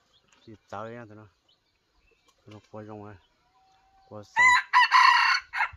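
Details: Red junglefowl decoy rooster from Laos giving a loud, hoarse, harsh crow of about one second near the end, broken into short bursts, after several stretches of a man talking close by.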